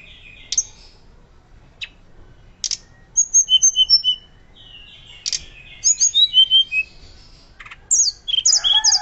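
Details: Hill blue flycatcher singing loud, flute-like song, recorded as a master recording to teach other birds: sharp high chips, then bursts of clear whistled notes and slurred descending phrases, repeated in quick sequences with short pauses.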